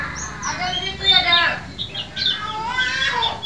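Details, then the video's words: Caged-bird lure of white-eye song, meant to start silent birds and train new ones to sing fast: a jumbled warbling chatter with quick high slurred notes and short twittering bursts. "VOLUME TEMBUS untuk masteran maupun pancingan pleci macet bunyi & terapi bahan agar cepat ngalas"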